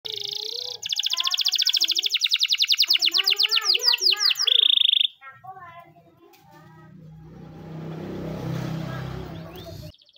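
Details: A canary's morning training song: fast, high rolling trills that quicken, ending on a clear whistled note, then softer notes follow over a low traffic-like rumble.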